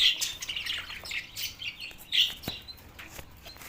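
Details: Mating budgies, Larkana, Sindh, March 9, 2024: somewhat quieter scattered chirps and short squawky warbles, separate notes with gaps between them and occasional soft clicks.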